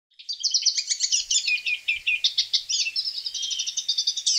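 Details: Hooded siskin song: a rapid, unbroken twittering of high, bright chirps and short trills, with notes packed several per second and swinging quickly up and down in pitch throughout, on a clean, quiet background.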